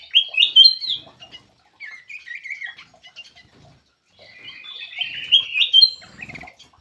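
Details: Black-crested bulbul giving a lure call: bursts of warbling, whistled slurs separated by short pauses, loudest at the beginning and again near the end.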